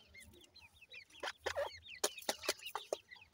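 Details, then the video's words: Partridge chicks give thin, high peeping chirps in quick bursts, broken by louder, harsher clucking notes that come more sharply and irregularly. "lover bird pheasant baby natural sound,partridge bird chicks playing"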